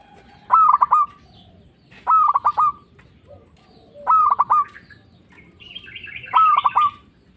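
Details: Local zebra dove, a persistent caller kept as a lure for trapping doves and to stir other doves into answering; four mellow cooing phrases of rapid pulses ending in a drawn tone, about every two seconds, with faint higher chirps near the end.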